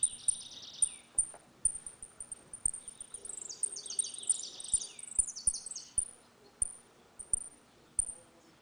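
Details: Saffron finch, known locally as canário da terra, singing a ringing 'retinido' song in a dispute, used to teach young birds: bright bursts of rapid chirped notes alternating with repeated thin high ticks and sharp clicks.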